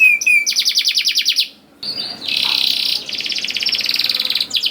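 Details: Young-canary lure song from a canary: a fast trill of repeated notes, a brief pause, then a buzzy dense roll and a long rapid rattling trill, all high and bright.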